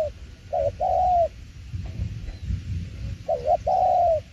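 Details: Spotted dove singing the "tiểu liên nước" coo style: two phrases, each a short trembling note followed by a long, level, mellow coo, separated by a pause with faint background noise.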